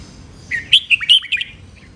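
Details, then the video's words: Red-whiskered bulbul training song in the Thai riffing, note-counting master-pattern style: a quick burst of about six bright whistled notes, sliding up and down and warbling, over a faint low hum. "นกกรงหัวจุก เจ้าขุนอินทร์ เสียงร้องเล่นริก นับดอก แม่บท ลากหวาย คมชัด สำนวนเพราะ เสียงฝึกร้อง"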